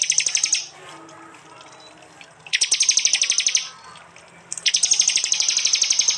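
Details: Prinia song in a compilation recorded on an Android phone in East Java: loud, fast, buzzy ticking volleys lasting one to one and a half seconds, repeated after quiet gaps of about two seconds.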